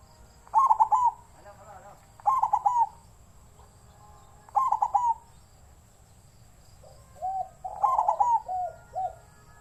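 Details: Captive-bred zebra dove voicing the 'wild voice' style: bursts of rapid, stuttering staccato coos, each about half a second, repeated every one to two seconds, ending in a longer run of rolling coo notes; quiet background otherwise.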